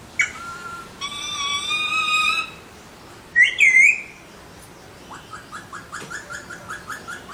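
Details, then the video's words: Alexandrine parakeets producing a long, steady whistled tone rich in overtones, then a wavering warbled note, and finally a run of short rising chirps in quick succession. "Alexandrine Parrots Making Cute Sounds"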